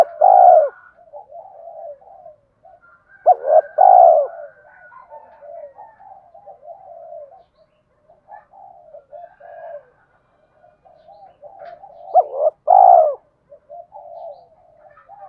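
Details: Spotted dove cooing played to encourage other doves to coo. Loud, low, rounded coo phrases come about every four to nine seconds, with soft, continuous murmuring coos between them.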